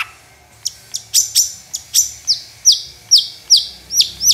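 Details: Long-tailed shrike in song, used to lure other shrikes into singing: a few sharp high chips building into a steady series of downslurred whistled notes, about three per second.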